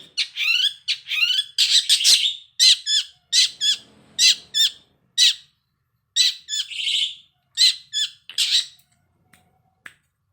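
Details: Long-tailed shrike song used as a lure to set the bird singing: harsh, squawking chatter notes repeated in irregular bursts, with a short buzzy trill in the middle and gaps of silence.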